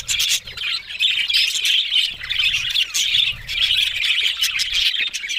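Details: Rolling waves of budgerigar chatter, scratchy warbles and squawks from these Australian parrots, pausing briefly about every second or so.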